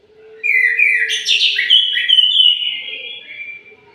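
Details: An orange-headed thrush sings in the morning, one continuous phrase of tumbling, overlapping whistles and rapid slurs lasting about three seconds, over a steady low hum.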